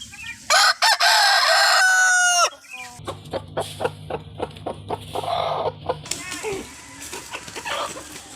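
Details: Rooster crowing: a loud, harsh, drawn-out cock-a-doodle-doo lasting nearly two seconds, followed by a run of short rhythmic clucks and scattered bird calls over a steady low hum.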